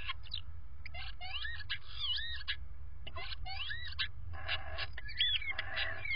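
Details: Common starlings conversing in a nest box before bedtime: bursts of varied chirps, clicks and short whistled notes in clusters with brief pauses, one sharp up-and-down whistle near the end, over a steady low hum.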